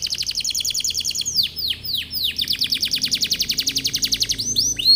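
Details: A canary pours out continuous song to entice other canaries: a quick trill, a few slow descending swoops, then a long steady run of rapid falling notes ending in sharp upslurs.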